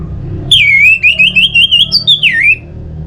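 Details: Orange-headed thrush singing a continuous warbled phrase used to stimulate birds into song: connected wavering whistles holding steady, then a higher note sweeping down at the end.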